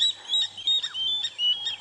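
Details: Water Thick-knees giving alarm calls at leopards, and likely a crocodile, near a dam during an early-morning safari drive, February 2017: clear, high piping whistles in short bursts, one after another, with brief gaps between.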